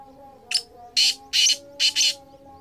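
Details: Black francolin (Kala Teetar) calling in 2023, giving its harsh, grating call: a short opening note, then two quick pairs of loud rasping bursts, over a faint steady hum.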